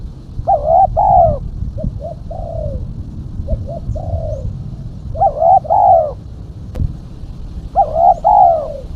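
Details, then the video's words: Repeated coo phrases from a female spotted dove, a sound used to lure doves: loud rolling double coos every few seconds, alternating with softer short notes and a drawn-out falling coo, over low background rumble. "Suara burung tekukur betina /pikat tekukur betina"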